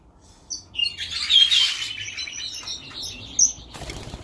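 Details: Red-rumped parrot pair, a turquoise (pastel) male with a blue female, kept in an aviary block at a 2019 bird show: high, thin whistled chirps rising and falling over about a second amid wing flaps, then a sharp chirp later.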